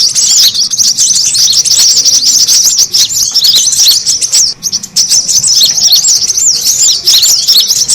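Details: Lure call of brown-throated sunbird meant to draw birds in: a nonstop stream of shrill chirps and quick twittering trills, very busy, briefly dipping near the middle.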